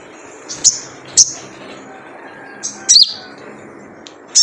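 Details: Crimson sunbird, wild, with the 'jrejet cuit' lure call: a few thin, high chips and one sharp descending chirp, widely spaced over a steady low hum.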